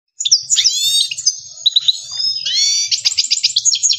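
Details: Himalayan goldfinch singing, known locally as saira: a run of high, twittering, slurred notes and buzzy trills, ending in a fast series of repeated chirps, with a faint low hum beneath.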